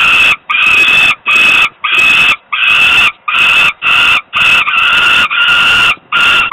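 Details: Young falcon begging from hunger while the father delivers food, Włocławek, Poland, evening of 27 May 2022; a steady series of loud, harsh, grating wails, each about half a second long, repeated in quick succession with short gaps.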